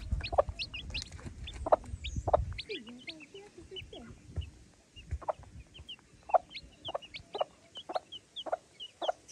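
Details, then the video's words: Mother hen with chicks: low, short clucks repeated about every half second to second, mixed with many thin, high, down-slurred chick peeps throughout, and a low rumbling noise during the first two and a half seconds. "Animal Sounds Of Cute mother and Baby Chicks"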